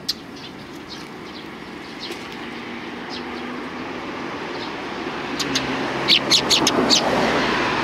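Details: Sparrows coming for food on the front approach of a Tenmangu shrine, 29 May 2020; after a quiet stretch of traffic hum, a rapid series of bright chirps rises around six to seven seconds.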